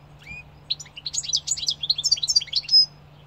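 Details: Goldfinch song opening with a single rising whistle, then a dense burst of rapid, jangling twitters and trills over roughly two seconds, closing with a drawn-out nasal note; steady low hum beneath.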